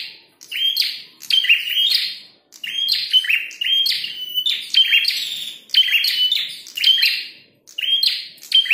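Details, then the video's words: Loud bouts of rapid, scratchy chirps from a red-headed prinia in a fight, each bout roughly a second long and broken by short gaps, laced with thin, high whistled notes. "Prenjak tarung gacor | prenjak kepala merah"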